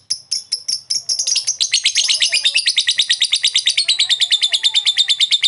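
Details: A lovebird's extended ngekek chattering for training lazy birds: several separate sharp squeaks open into a quick, continuous rattle of high metallic notes, about three per second, holding to the end.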